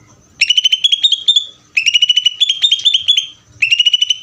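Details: Greater green leafbird singing in the ngeder style: rapid bursts of clear, high, slightly rising notes, each burst about a second long with brief pauses between, in a quiet setting.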